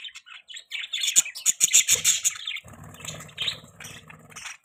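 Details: Budgies chattering in a mating call: a dense run of fast, sharp chirps and squeaky warbles for the first half, then quieter scratchy twittering over a low rustling background.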